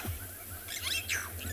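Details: Burchell's starlings at Ngala or Phinda Private Game Reserve, on an afternoon drive, 12 September 2020, several birds foraging and chasing one another, give harsh, chattering calls with slurred squeaky notes over about a second, against a low engine-like hum.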